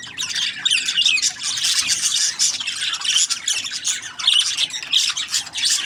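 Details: Budgies chirping in a thick, unbroken jumble of bright, rapid high notes and short rasping calls, with a few clear whistled chirps standing out above the chatter.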